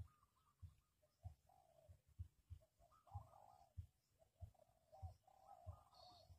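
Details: Spotted dove calling as a trapping decoy for wild doves: repeated low, husky coos in short phrases, backed by regular dull knocking thuds about every half second.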